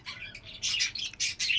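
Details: Budgerigars kept for breeding in cages at home: short high chirps and warbled squeaky notes in quick irregular bursts.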